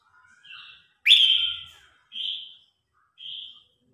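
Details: Red-whiskered bulbul singing competitively to call the flock: soft twittering, then a loud sharp-onset whistled phrase, followed by two shorter clear notes spaced about a second apart.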